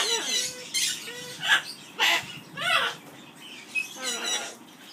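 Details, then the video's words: Caged Amazon parrot at an aviary giving its skimmeradinkadinkadink song as spaced harsh squawky bursts about once a second, with a few short tonal whistles between them. "singing skimmeradinkadinkadink song"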